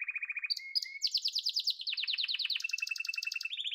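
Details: Yellow canary delivering fast, evenly pulsed trills: a low rattle, two short whistles, then a long ringing high roll that shifts pitch step by step, all notes clipped and rhythmic.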